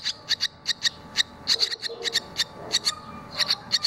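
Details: Barn swallow fledglings leaving the nest, two chicks out and one already flown and back, give sharp, high chipping notes in quick, uneven bursts, about three a second, over a faint low background murmur.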